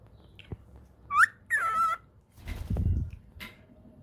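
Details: Two pet cockatiels chatting while playing: a few short whistled calls, one rising and one long wavering note, between soft chatter.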